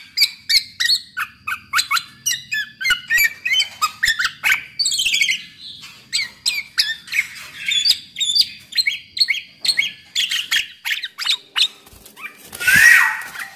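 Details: Lively kepodang, black-naped oriole, song played as a lure to make other orioles sing; long rapid series of crisp repeated chips, roughly three per second, closing with a loud harsh rasp.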